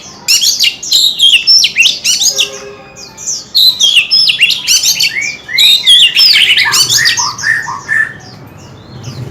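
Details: Oriental magpie-robin pouring out rapid phrases of chirps, trills and whistled slurs in dense bursts, broken by brief quieter gaps.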